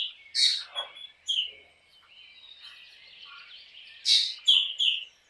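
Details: Black drongo singing: a harsh scratchy note and quick whistles early on, a long faint quiet stretch, then another loud rasping burst followed by two clear whistled notes.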